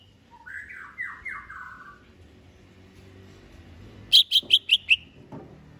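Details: Contest-ready greater green leafbird gives a rolling, wavering warble, then a fast series of five bright, sharp high whistled notes, with low background noise throughout.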